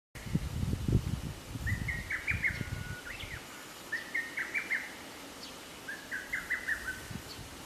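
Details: Lesser cuckoo singing at Atarashiki-mura, Moroyama, Japan, on 24 May 2020: three loud, staccato phrases of quick emphatic notes, about one every two seconds, with low rumbling noise early on.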